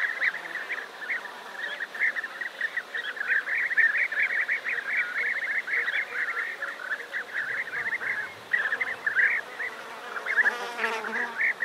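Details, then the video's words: Large colony of European bee-eaters near Navalcan, New Castile, Spain: constant overlapping burry, trilled notes from many birds, steady throughout, with a brief harsher rustle near the end. "European Bee Eater / Calls Of Large Colony"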